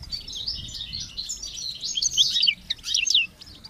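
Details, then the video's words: European goldfinch song with chicks chirping, used to encourage goldfinches to sing; dense high twittering and chattering notes in a continuous jumble, with faint background hiss. "Goldfinches and Chicks Chirps"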